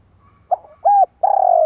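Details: Spotted dove calling to provoke wild doves, a lure song (kích bổi). A short soft note, a clipped arching coo, then a long, slightly descending, purring coo. Quiet background.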